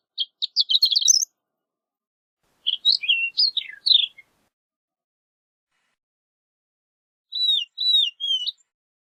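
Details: Horned lark song in three phrases: a fast high tinkling run, a jumble of slurred notes dropping in pitch, and three clear downslurred whistled notes spaced evenly; quiet background.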